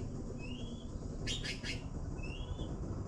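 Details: Baby blue magpies awaiting food give two thin, rising whistled notes with a brief burst of harsh, raspy chirps between them, set against constant low-pitched background hum.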